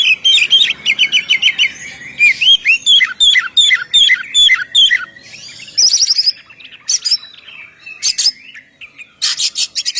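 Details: Oriental magpie-robin singing in the ngeplong style, a vigorous song used to lure birds: a run of rising whistled notes repeated about once a second, then varied chirps, a quick trill and sharp buzzy bursts.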